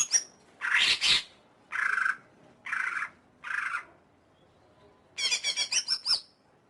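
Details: Greater green leafbird singing in separated bursts: a sharp whistled note, several harsh rasping phrases about a second apart, then a fast twittering run ending in a high whistle.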